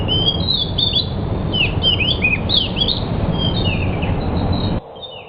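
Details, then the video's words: Pied bushchat, locally called decu, singing: a run of quick, bright whistled and warbled phrases, rising and falling notes tumbling together for nearly five seconds, then stopping abruptly, over a steady low background rumble. "Suara Burung Decu"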